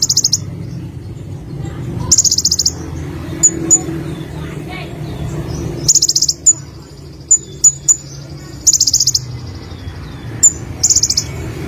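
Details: Olive-backed sunbird in lively song: bursts of very high, fast buzzy trills alternating with sharp thin tsip notes in quick runs, over a low background hum.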